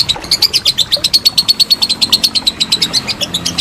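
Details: Lovebird ngekek panjang used to train contest birds: a continuous rapid trill of high, sharp, chattering pulses, evenly spaced and loud throughout.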